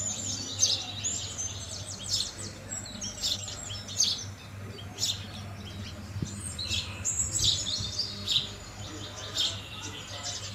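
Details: A steady stream of chirping from house sparrows at food, busy and uneven, with occasional thin whistles and a low hum beneath.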